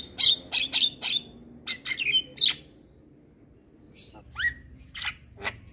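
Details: Javan myna in energetic 'gacor' song, a master recording for training kept birds: harsh broadband bursts alternating with clear high whistles, several quick notes in the first second, then scattered rising whistles after a short pause.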